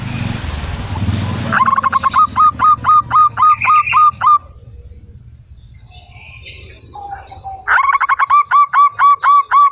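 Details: Local zebra dove singing back: two fast, even runs of loud hooked notes separated by a quiet gap holding a short higher whistle and a soft low trill.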